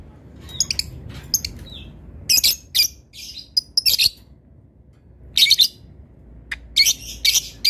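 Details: Caged lovebird performing a long ngekek and ngetik ticking chatter meant to rile opponents: sharp ticks followed by dense, rasping high bursts, several runs separated by brief pauses, with low room hum beneath.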